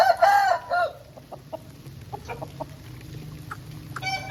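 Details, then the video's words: An Aseel rooster, recorded after rain, gives a short, harsh, wavering crow lasting under a second, followed by soft scattered clucks and faint chips. "Aseel Bird Sound Effect"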